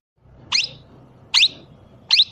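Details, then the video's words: Talking parrot giving three short, sharp, shrill calls about eight tenths of a second apart in a quiet room with a faint low hum. "Parrot talking"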